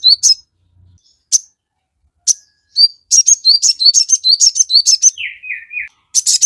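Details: Crested jay singing hard, a recording meant to stir birds into calling back: scattered single high chirps give way to a dense run of sharp chirps and whistles, broken by a lower descending whistled phrase.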